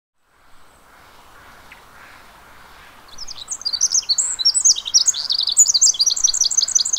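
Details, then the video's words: Pacific wren at the Mamquam Spawning Channels: after three seconds of quiet, a very high, rapid, tumbling song begins. It is a long run of tinkling trills and squeaky notes that keeps going to the end. "Pacific Wren"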